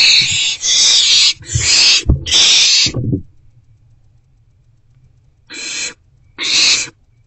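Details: Owls at a nest box on the evening of 29 March 2024 during rodent deliveries: a rapid run of overlapping harsh hissing screeches with thumping and scuffling, then a pause and two more spaced hisses.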